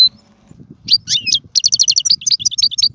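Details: Short burst of European goldfinch song used to tutor chicks: a lone high note, then rapid, evenly spaced liquid twitters running together in a lively chatter over a low murmur.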